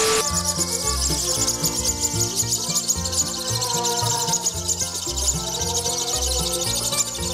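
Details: Loud music with a steady beat and layered tones fills the whole stretch, with no animal voice standing out.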